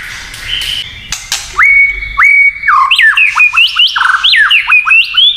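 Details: White-rumped shama kretekan song meant to provoke rival shamas. A few harsh notes open into loud clear whistles, then a fast run of rising and falling slurred notes about three per second.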